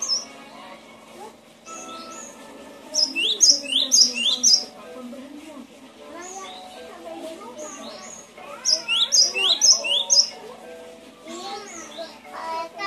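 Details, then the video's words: Cinereous tit, played as a master or lure recording to coax reluctant birds into singing, giving two roughly two-second bursts of rapid, high, sweeping chirps and twitters over a faint murmur of voices. "Suara masteran burung gelatik batu"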